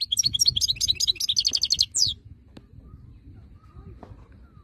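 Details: Wild-type European goldfinch giving about two seconds of rapid, bright twittering. The trills are repeated and end in a descending slurred note, followed by near silence with faint background rumble and clicks.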